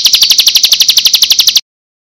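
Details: Bar-winged Prinia, played as a lure so birds respond at once: loud, high chattering run of about fifteen sharp notes in quick regular succession, stopping abruptly into silence after less than two seconds.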